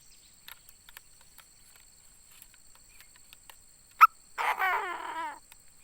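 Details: Chinese francolin, a decoy bird, giving one loud grating call of about one second with rasping, descending harmonic notes, after a sharp click and scattered faint ticks, over a steady high hum.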